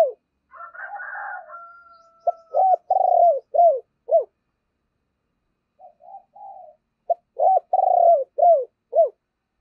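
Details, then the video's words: Decoy spotted dove giving stirring calls to provoke others into cooing: a soft drawn-out purring note, then bursts of deep, mellow, downslurred coos in quick groups of four or five, separated by pauses. The background is quiet. "Chim Cu Mồi Thúc Và Gáy Gọi Kích Bổi Nhanh Gáy"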